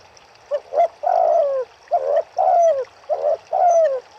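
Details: Riverside turtle doves cooing steadily, alternating short notes with drawn-out falling coos in a repeated rhythm of about one phrase per second, over quiet water sounds.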